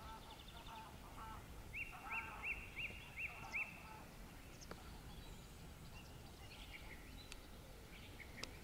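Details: Common starling mimicking a wader: six clear, sharply inflected whistles about every 0.4 seconds, over steady background hiss with faint other chirps.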